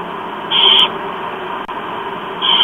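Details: Barn owl young, four chicks, begging while fed at breakfast in Chula Vista, USA, 28 October 2015, 07:29; two drawn-out hoarse hissing screeches nearly two seconds apart over a loud steady hum.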